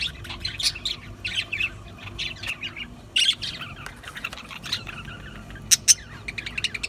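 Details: Budgies squawking and chattering, mostly rough chirps with a few loud piercing squawks near the end, over a soft low hum.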